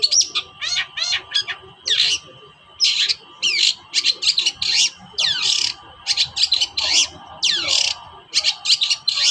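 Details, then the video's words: Agitated long-tailed shrike toet-toet calling, played to stir silent shrikes into song: scratchy bursts and quick downward-sweeping notes, grouped in pairs and triplets with short pauses, over a low background hum. "TOET-TOET CENDET GACOR DONGKAK EMOSI CENDET SUSAH BUNYI"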